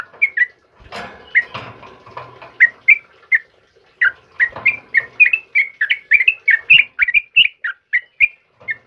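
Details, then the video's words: Sooty-headed bulbul called trucukan kebo singing in the morning. Scattered whistles mix with rustling and knocking noises early on, then build to a dense, rapid series of liquid slurred notes. "suara burung trucukan GACOR PAGI HARI"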